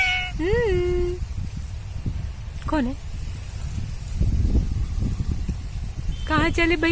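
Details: Indian ringneck parrot uttering scattered speech-like sounds: an arched syllable at the start, a sharp falling note midway, and a quick pair of syllables near the end, separated by quiet stretches with low rustling noise.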